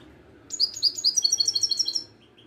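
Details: Ouidane-type Moroccan European goldfinch in a cage: a quick run of about a dozen high, sharp repeated notes lasting about a second and a half, over a low background hum.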